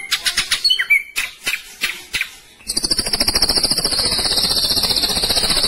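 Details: Ashy drongo kept in a cage giving its "roll tembak" song. Sharp clicking notes and a dropping whistle lead into a long, fast, buzzy rattle held at high pitch.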